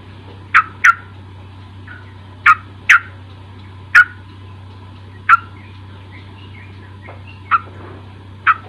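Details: Luring song of a sooty-headed bulbul for a young bird not yet singing: about ten brief, bright, bubbly notes, some paired, some spaced seconds apart, with faint chatter between and a low hum throughout.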